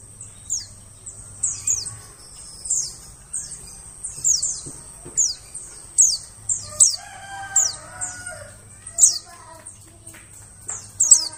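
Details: White-eye lure call meant to draw birds in a forest: a steady run of high, thin downslurred chirps roughly twice a second, with a rooster crowing in the background midway and a low hum throughout.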